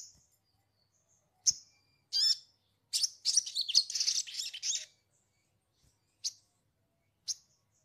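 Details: Lure recording of sogon for newly caught birds: isolated high chirps lead into a dense, rapid run of scratchy, chattering notes, then spaced single chirps again.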